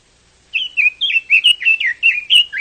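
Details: Loud, continuous Chinese hwamei song: a quick sequence of about nine bright whistled phrases, each sliding downward, delivered almost without breaks.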